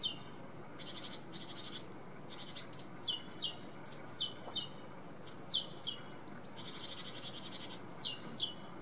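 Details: Great tit (Parus major) singing: bright two-note phrases, each a high note sliding down to a lower one, repeated in quick series from about three seconds on, with softer buzzy background chatter in the opening seconds.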